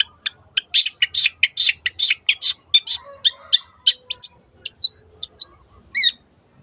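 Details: Long-tailed shrike, cendet, 'teot teot' song intended as a lure to make other birds sing: around twenty clipped, harsh notes in quick succession, ending with three clear descending slurred whistles.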